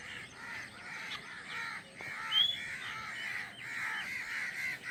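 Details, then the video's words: Newly hatched drongo chicks in their nest call for food while waiting for the mother. A string of rough, raspy notes repeats steadily, with a single thin, high squeak partway through. "Newly HatchedbDrongo Birds Waiting For Mother Birds in the Nest for Food"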